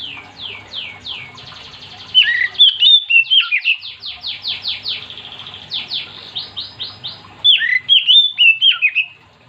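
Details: Song of a vocal Oriental magpie-robin, aimed at making others of its kind join in. Fast series of repeated rasping, descending notes alternate with clear, twisting whistled phrases, filling almost ten seconds.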